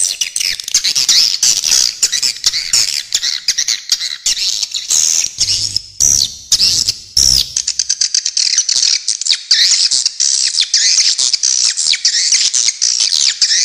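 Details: Long stretch of swiftlet chorus, many birds giving continuous high, shrill, buzzy twitters and clicking chirps, with a faint low hum in the middle.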